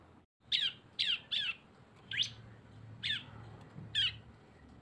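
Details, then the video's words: Cisem lure combining two birds: single sharp, downslurred chirps given about once a second, spaced apart over a low background hum. "CISEM GACOR ‼️ SUARA BREN kombinasi 2 burung"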